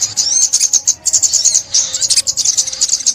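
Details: Sunbird song recorded for trapping: fast, high twittered chips and short whistled slurs in three quick bursts, with a brief lull near one second.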